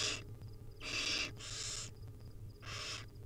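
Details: Barn owl nestlings, wild, calling for food as the mother passes tiny bits: three to four loud breathy screeches in quick succession, each under half a second, with soft hum and faint ticking between them.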